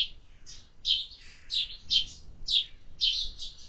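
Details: Sparrows chirping at a summer feeder, a steady series of short rasping notes about every half second, with little other sound.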